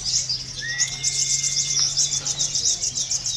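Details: Brown-throated sunbird of a local Konin strain, used as song-contest training, gives a continuous high, fast twittering of short sharp chirps in quick succession over a faint low hum.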